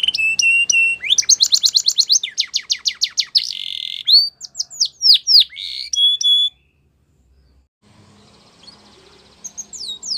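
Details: Canary singing a training song meant for young birds: rapid chattering notes, a fast downward-sweeping trill, sharp rising and falling whistles, then several seconds of near silence with faint background hum.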